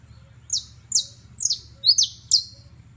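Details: A criollo basto canary sings a clear series of six high, bright whistles, each dropping quickly in pitch with a short tail, spaced about half a second apart, one note doubled near the end.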